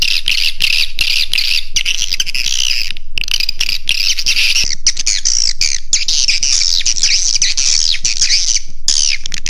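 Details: Swiftlet 'Raja Di Laut' roosting call used to attract birds: an unbroken wash of shrill, buzzy chirps and descending squeaky twitters from many voices at once, over a faint low rumble.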